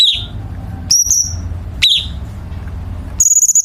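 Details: Chinese bulbul in a training recording for contest birds, with 'tembakan' phrasing. Four crisp high notes are spaced about a second apart: downslurred chirps and a level whistle, the last one pulsed, over a faint low hum.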